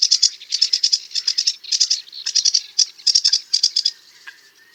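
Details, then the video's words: A sedge warbler sings a chattering, scratchy run of rapid high notes in short bursts, stopping after about four seconds into quiet. "Sedge Warbler - Songs"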